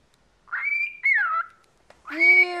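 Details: Chattering 14-year-old pet cockatiel kept indoors gives a whistled note rising then holding level, a second whistle sliding downward, a pause, then a harsher, richer held note, with a person nearby calling out.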